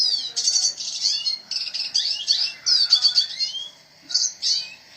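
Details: Spirited gacor singing by a red siskin: bright, buzzy twittered phrases with sliding notes, a pause, then two more short high bursts.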